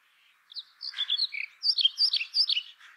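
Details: Brown rock chat: a busy, jumbled run of bright chirps, twittering whistles and slurred notes, delivered fast and without a break for about two seconds.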